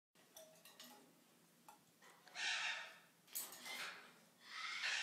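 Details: A fearful, nervous yellow-bibbed lory, on day 3 of hand-training and taking fruit treats from the hand, gives three harsh, raspy screeches about a second apart, with faint rustling and clicks in a quiet room.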